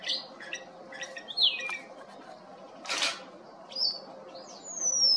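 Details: Cape wagtail at Ogies, Mpumalanga, giving clear, sweet whistles, some sliding down and one long high falling note, between short chirps, with a soft background hiss.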